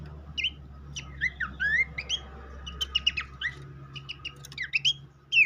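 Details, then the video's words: Lure song of a Horsfield's babbler, played to coax a newly kept captive bird into full song. Scattered clear whistles, some rising, some falling in slurs, come in loose bursts with short pauses, over a steady low hum. "rangsang burung pelanduk semak bahan agar cepat ngeplong dengan pancingan ini"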